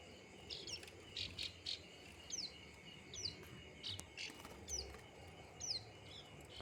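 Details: Plain prinia of the rice paddies giving thin, high, downslurred notes, each repeated roughly once a second, fairly faint against steady outdoor background noise.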